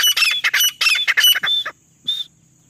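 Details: Female grey francolin, called in jungle as a hunting lure: a dense burst of loud, harsh, squawking notes for over a second, then one short high ringing note after a pause.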